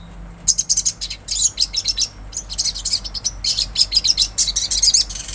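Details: Lively olive-backed sunbird song in natural surroundings: a continuous, rapid twitter of very high, sharp chips and short trills in uneven bursts, with a faint steady hum beneath.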